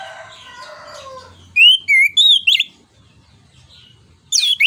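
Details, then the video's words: Orange-headed thrush (anis kembang) singing in the loud 'ngeplong nembak' style, used to provoke and tutor other songbirds: a rough, chattering passage, then a run of clear, looping whistled notes, a pause, and a high slurred whistle burst. "ANIS KEMBANG NGEPLONG NEMBAK BUAT PANCINGAN"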